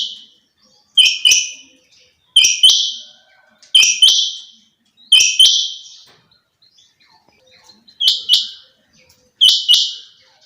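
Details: Female quail calling in a steady series of loud, rasping two-part notes, spaced roughly every one and a half seconds, quiet gaps in between.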